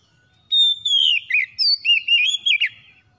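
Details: Oriental magpie-robin song used as a trigger for a bird that rarely sings: a sustained high whistle sliding down into a string of rapid, warbling, rising and falling whistled notes.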